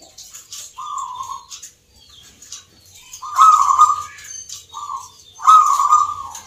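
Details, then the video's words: Caged local zebra doves at a Yogyakarta perkutut contest, judged on Nglagu Ngepat Mentaraman rhythm, deliver a quiet start then two loud vibrating coos with a short coo between, over faint high chirps from nearby birds. "PERKUTUT LOKAL GACOR, TURTLE DOVE,ZEBRA DOVE, BIRD SINGING"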